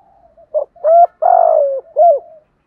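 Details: Spotted dove giving a luring coo phrase for attracting wild doves: soft lead-in murmurs, then a clipped note, a rising-hooked coo, a long rough falling coo and a final hooked note, all mid-pitched, in silence.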